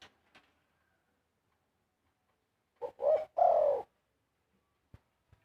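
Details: A single zebra dove phrase: a short note, a rising coo and a long falling warbled coo, surrounded by near silence with a few faint clicks.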